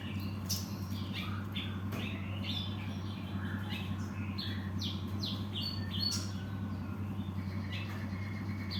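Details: Cinereous tit calling in scattered sharp high chirps and brief squeaks, irregularly spaced, with a constant low droning hum beneath.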